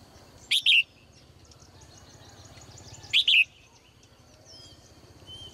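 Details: Caged female bird singing in the morning: two bright double-note chirps about 2.6 seconds apart, high and sharp, with faint soft calls of other birds and a low steady hum behind.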